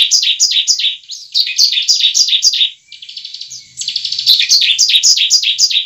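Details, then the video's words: Lure recording of bar-winged prinia song in fighting style, meant to spur a kept bird into song: dense runs of shrill, quick chirps, each sliding downward, with a brief buzzy stretch midway. "pancingan ciblek ampuh membuat ciblek bakalan langsung gacor"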